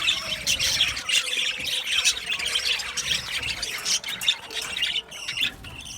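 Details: Budgerigars in an aviary chirping, a busy high chatter with scattered sharper squawks and chirps over overlapping warbling.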